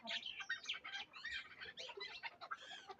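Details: Leg-tethered chukar partridge of the Darvoz type, a hunting decoy from Tojikobod district, Tajikistan; dense, harsh chattering and clucking notes tumbling over one another without pause.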